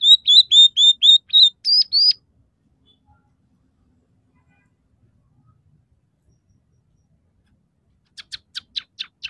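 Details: Scaly-breasted munia singing with red siskin, house sparrow and canary fill-ins: a quick series of about eight clear whistled notes, a pause of silence, then a burst of sharp chirps.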